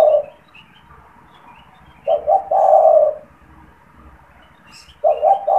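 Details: Frequently calling caged spotted dove used for luring wild doves: mellow low-pitched coo phrases, each a stuttered double note then a long hoot, about every three seconds, with faint distant chirps.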